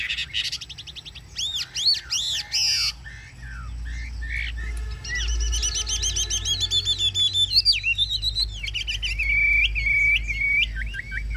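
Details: Caged Chinese hwamei singing in the ngũ trường style, with high looping whistles, a fast rattling series of notes, then loud, flat sustained whistles. A low hum runs underneath.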